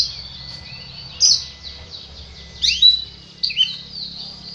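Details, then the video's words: Oriental magpie-robin, a caged songbird said to sing day and night, giving loud sweet whistled phrases and sharp slurred notes in short bursts over a steady low hum and hiss. "KACER ini nyinyir... siang malam"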